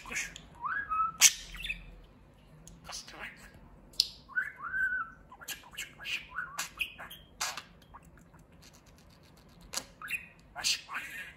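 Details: A pet talking budgerigar chatters in quick, scratchy warbles, mixing mimicked Turkish word-like phrases such as "babacık" and "cici kuş" with sharp clicks and chirps.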